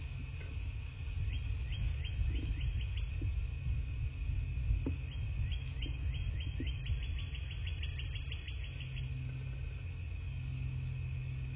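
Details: Bald eagle at its southwest Florida nest on a February 2024 morning, caught by nest camera: faint high piping chatter in quick rising runs, two bursts, under constant low wind noise.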